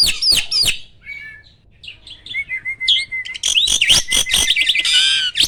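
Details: Caged prize starling: sharp harsh notes, a short run of level whistles, then an outburst of loud dense chatter and buzzy, sweeping phrases.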